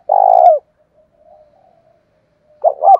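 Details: Decoy spotted dove, thổ pha style voice, calling to lure and provoke wild doves: one long buzzy low croo ending in a downward slur, quiet murmuring, then the first short notes of the next phrase.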